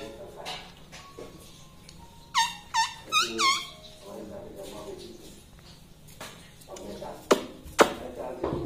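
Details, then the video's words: Pet parrot talking indoors: four loud, harmonic, word-like notes in quick succession mid-way, each with a sharp upward hook, amid soft room noise and occasional clicks. "talking parrot"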